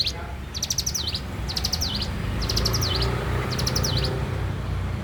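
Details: Morning song of a bar-winged prinia: four high, rapid phrases of chips ending in downward slurs, then fading into steady low rumbling noise.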